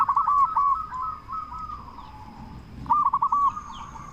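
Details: Loud local zebra dove used to coax other zebra doves to answer: a string of short, clipped coo notes, a soft rolling purr, then a quick burst of four ringing notes, with a thin steady high tone behind.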